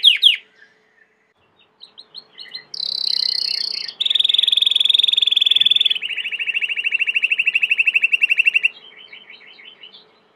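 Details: Domestic Belgian canary song: a sharp opening note and soft chirps, then a high buzzy phrase, followed by long even rolling trills stepping lower, fading into quiet chatter.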